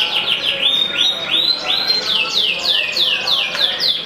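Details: Yellow canary, an F2 bird, singing a rapid, continuous song of rising and falling whistled sweeps and trills, about three notes a second, bright and high with a faint background hum.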